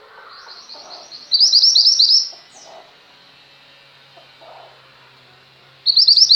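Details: Female mountain white-eye singing for tutoring pet white-eyes: soft high notes lead into a loud second of rapid piercing chirps, then a short downslur, a long near-silence with faint murmuring, and a fresh twittering start.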